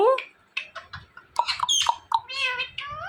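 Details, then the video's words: Indian ringneck parakeet talking, a string of squeaky voice-like syllables with rising and falling tones and a few sharp clicks, in a small indoor room. "Indian Ringneck Talking Parrot"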